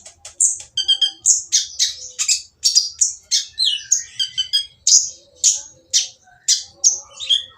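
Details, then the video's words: Oriental magpie-robin singing a harsh, noisy song meant to draw other magpie-robins into singing: a rapid string of high, rasping notes mixed with buzzy rattles and short whistled slurs. "konin yang diam malas bunyi akan nyaut jadi gacor setelah mendengar suara konin berisik ini !!"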